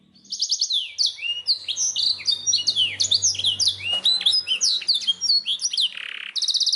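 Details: Pet black-throated canary singing a dense, varied warble of high swooping whistles and chattering notes for several seconds, finishing with a short buzzy trill; faint low hum in the background.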